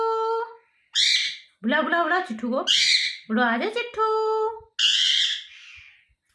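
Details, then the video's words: Talking parrot in a "mitthu mitthu" style: word-like harmonic phrases and steady tonal notes, broken up by three loud, harsh, high squawks about two seconds apart, heard indoors. "Mitthu Mitthu Parrot Sounds | मिट्ठू मिट्ठू |Funny parrot sound"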